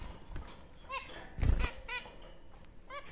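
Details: Captive zebra finches at a breeder's give short nasal, trumpet-like calls, roughly one a second, over low thumps and handling noise.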